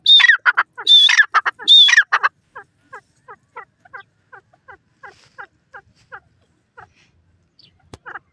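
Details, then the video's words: Grey francolin calling: three loud high ringing notes, then a long rapid series of short clicking notes about three per second, gradually fading. "dakhni bhura teetar ke awaaz, titer awaz,teter bird sound"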